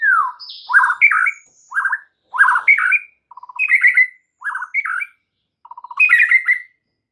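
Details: White-rumped shama song meant to provoke rival shamas: varied mid-pitched warbled phrases with short pauses, mixed with brief fast trills of clicking notes.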